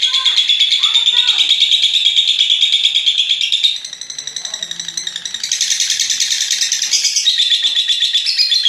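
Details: Lovebird giving a long ngekek trill, a master recording played to stimulate other lovebirds to sing: a dense, rapid, high buzzy chatter, briefly dipping and softening midway before resuming strongly, with some lower warbled notes beneath.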